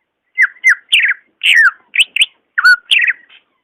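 A greater green leafbird sings a quick run of varied, slurred whistles and chirps, about eight short bright phrases in under four seconds, against a quiet background.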